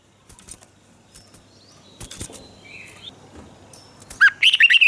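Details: Red-whiskered bulbul from Thailand, song used to excite and train caged birds: a soft, noisy start with scattered clicks and faint chirps, then a loud, quick whistled phrase breaking in at the very end.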